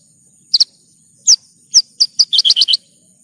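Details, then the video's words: Horsfield's bush lark, known locally as branjangan, on a masteran track: spaced sharp downslurred high whistles that quicken into a brisk run of paired chirps. "Masteran Burung Branjangan"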